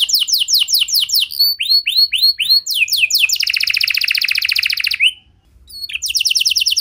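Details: Canary song aimed at getting other canaries to sing: descending whistled sweeps, a long loud buzzy trill, a short pause, then more rapid trilling.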